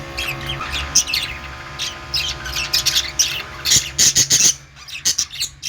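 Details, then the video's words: Budgerigar chirping: high, scratchy chirps and squawks in rapid clusters, louder bursts toward the end. "Budgie parrot sounds | Australian parrot sounds | birds sounds | parakeet chirping sounds"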